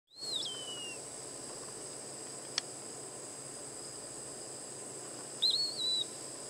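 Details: An Eastern Wood-Pewee at Donnelley WMA, South Carolina, gives a clear, slurred whistle dropping downward, then a brighter rising-and-falling whistle five seconds later, over a steady high insect drone.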